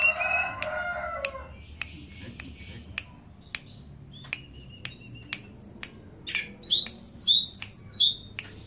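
A blue flycatcher's song ends the recording as a quick run of high, sweet, down-slurred whistles, after a harsh low call and scattered sharp clicks.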